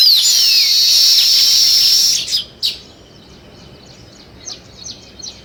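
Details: Sparrows, alongside weaver birds, chirping in natural surroundings: a dense, buzzy wall of high chatter for two seconds, then a few separate sharp chirps spaced over the quieter remainder.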